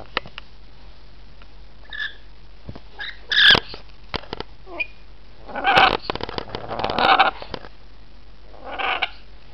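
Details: Rainbow lorikeets calling; harsh, grating screeches and shorter squawks in irregular bursts, with some brief sharp clicks between.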